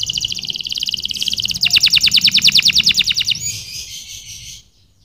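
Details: Canary song made of rapid high trills that shift into a slower run of clear repeated notes, about three per second, then fading into a soft high tail and quiet.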